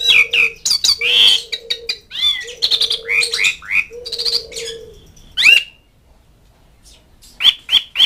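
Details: Asian pied starling calling to mates and rivals: a varied run of short squeaky chirps, slurred whistles and rasping notes, with a short pause before three final sharp whistles. A steady low hum runs under the first half.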